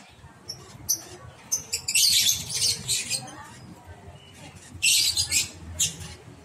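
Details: Month-old lovebird chick starting to venture out of the nest box: harsh, noisy squawks in clustered bursts, one group around two seconds and another near five seconds, with a few sharp single chirps and low background rumble.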